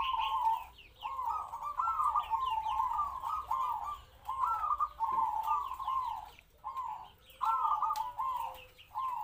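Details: Local decoy zebra dove, captive-bred, about three to four years old, performing its medium-voiced kwor kwor song to attract wild doves; steady run of trilled, rolling coo phrases repeated with only brief breaks throughout.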